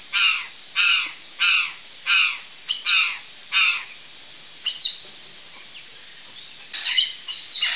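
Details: Curl-crested jay from Brazil giving loud, harsh, raspy caw-like calls, six in a steady series about every 0.6 seconds, then a pause and a few more scattered calls, with faint background hiss.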